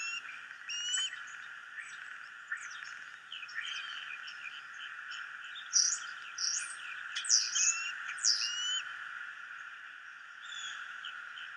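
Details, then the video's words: Starling making a joyful noise: a varied run of whistled slurs, clicks and sharp high chirps, with a louder burst of squeaky notes in the middle, over a steady background hum. "Starling making a joyful noise"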